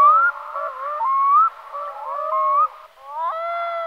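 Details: Black-throated loon giving clear, mournful, wailing notes that slide up and down in short overlapping phrases, ending on a long steady tone.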